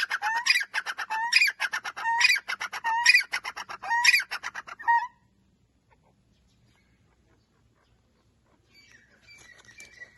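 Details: Francolin, called teeter, used to make birds react: about 0-5 s of loud, harsh, repeated notes with sharp rising whistled strokes roughly once per second, followed by near silence, with faint chirping near the end.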